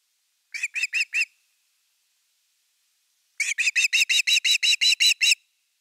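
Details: At nest #3 in Finland, 30 August 2021, an Osprey with the evening fish pipes four quick whistled notes, pauses, then delivers a longer steady string of about eleven shrill notes.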